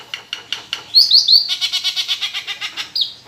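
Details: Captive Nias hill myna kept at home, its song used to prompt other songbirds to sing; a few soft clicks, three high rising whistles, then a quick run of about fifteen even buzzy notes, ending on one more whistle.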